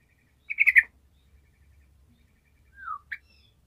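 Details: Sooty-headed bulbul giving lively gacor song, intended to coax silent bulbuls into singing: a brief rush of bubbly warbled notes, a quiet gap, then one falling whistle followed by a clipped note.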